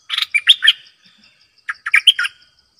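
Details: Two lively, gurgling phrases from a caged decoy bulbul, each of several fast, mellow notes with a short pause between, over a faint high buzzing background.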